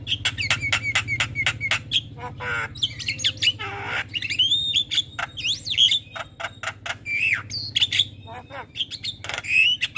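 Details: A Javan myna sings busily in the morning for a training and lure recording: a continuous jumble of harsh squawks, rasping chatter and slurred whistles, loud throughout over a low hum.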